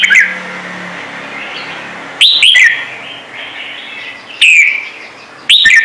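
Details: "Trung Mang" style song of a red-whiskered bulbul: brief loud whistled phrases, each a sharp rising then falling note, repeated every two seconds or so over faint warbling.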